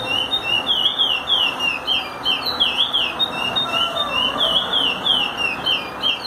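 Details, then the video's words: Chestnut-bellied seed finch sings a continuous, fluty run of slurred whistles, rising and falling about three notes a second, over steady background hiss; song used for teaching young birds. "curió canto para ensinar"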